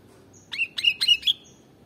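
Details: Kutilang, the sooty-headed bulbul, giving four quick notes in under a second, each sweeping sharply down then levelling into a short clear whistle, used to lure birds. Quiet background.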